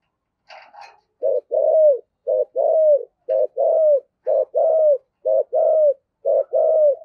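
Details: Spotted dove used as a lure bird, calling in the thổ sấm voice style: a short soft note, then a longer, lower, falling coo, paired phrases repeated about once a second, with a brief higher chatter at the start.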